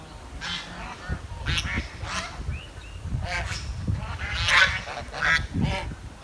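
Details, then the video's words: Chirping from a village swan: scattered short honking, slightly buzzy notes at an uneven pace, with a few brief rising squeaks, against low background rumble. "The Chirping Sound of The Village Swan"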